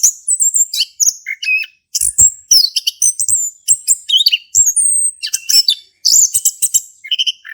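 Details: Male orange-headed thrush in energetic song, used to encourage another to sing; busy stream of piercing whistles, harsh buzzes and chattering notes, nearly continuous.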